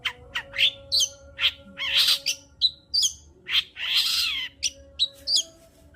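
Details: Long-tailed shrike singing, used to stimulate singing: a varied run of harsh squawky bursts mixed with short sharp high notes and brief whistles, loud and irregular, over a steady low hum.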